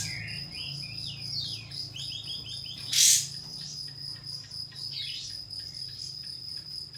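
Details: Pied fantail song played to draw a rival and make it open its tail: rapid, squeaky whistled notes tumbling up and down for about two seconds, then a sharp noise burst and scattered thin notes over a continuous insect whine.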